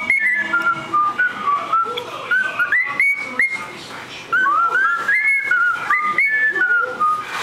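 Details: Cockatiel (Nymphicus hollandicus) in Saint John, New Brunswick, whistles a clear, tuneful phrase of sliding notes, rising and falling like a learned melody.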